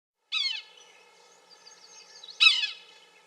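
Two nasal, mewing Yellow-bellied Sapsucker calls, each slurring downward, about two seconds apart, over a faint, steady background hum.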